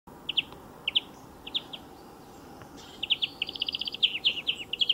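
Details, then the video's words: European greenfinch singing beside a motor racing circuit: short twittered chirps, then a faster run of bright trilled notes in the second half, over a steady low broadband rumble. "VERDIER d'EUROPE - Chant remplacé pour cause de grand bruit"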